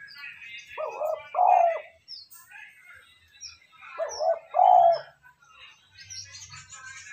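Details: Cooing spotted dove, used to make decoy birds call quickly: two hoarse multi-note coo phrases about three seconds apart, with high sharp chirps of small birds between.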